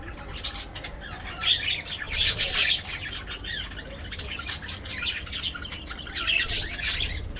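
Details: Parakeets in an aviary produce a constant mix of piercing chirps and harsh chatter, swelling in louder waves around the second and sixth seconds, with a low rumbling background.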